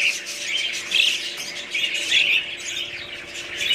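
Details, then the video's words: Several budgerigars calling at once: busy squeaky chirping that swells into louder bursts near the start and middle, with a low mechanical hum underneath. "budgies parrots"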